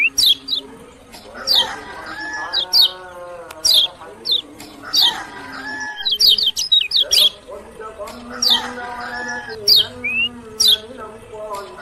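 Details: Lemon-bellied white-eye from Lombok repeats bright, steeply falling chirps about every second, with brief clusters of quicker twitters and a short rising whistle, over layered lower harmonic sounds.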